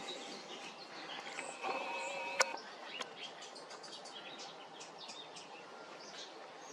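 A hummingbird gives thin, high, scattered chirps and ticks at an uneven pace, with one sharp click partway through, over a soft hiss of background noise.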